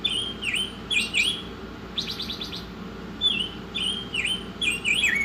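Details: Oriental magpie-robin singing in a masteran training recording, with looping whistles that swoop down then up, one quick burst of rattled notes in the middle, and faint high chips above a low constant hum.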